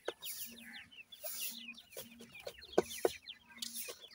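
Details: Francolin (teetar) chicks, 28 days old, feeding in a yard give a busy stream of thin, high peeping chirps and soft clucks, several per second, with pecking taps and a low steady hum behind.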